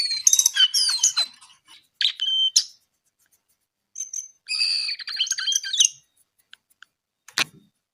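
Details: Brown-eared bulbul, known as jongkangan coklat, singing energetically in broken phrases of high chattering and whistled notes, separated by short silent gaps, ending with a sharp click.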